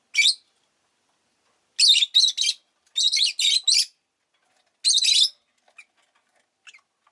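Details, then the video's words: Pet rosy-faced lovebirds, several of them calling freely, let out shrill scratchy chirps, first a lone note, then quick clusters of three and four harsh bursts, another cluster, and faint tiny peeps trailing off. "Lovebird Chirping Sounds"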